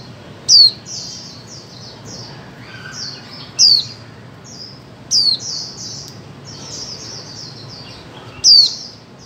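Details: Female white-eye calling, used to stimulate mute birds to sing: loud, sharp, high descending notes every few seconds over a steady background of softer, high down-slurred chirps.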